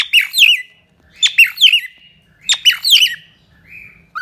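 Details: Cockatiel giving three bursts of harsh squawking chirps, each a cluster of rough, downward-bending notes, separated by short silences, ending with a soft whistle.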